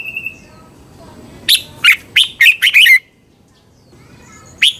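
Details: Thai caged red-whiskered bulbul, song meant to train birds or get them excited: one run of six quick, loud, slurred whistles over about a second and a half, then a pause and a single closing note.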